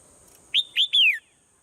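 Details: Swallow heard in the morning, delivering two clipped rising chirps then a sustained whistle that drops steadily in pitch, against a thin continuous high hum.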